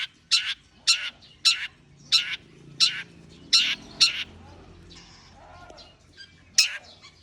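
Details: Long-tailed shrike warming up with loud, harsh, rasping notes, one roughly every half second, a pause, then a single last rasp, over a steady low background murmur.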